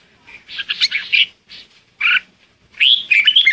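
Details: Red-whiskered bulbul lure song used to call the flock: a rough chattering burst, a short chirp, then a clear whistled phrase sliding up and wavering downward.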